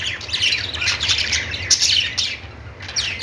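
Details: Busy budgie chatter, overlapping descending squeaks and rapid warbling chirps, steady and loud, over a soft low hum.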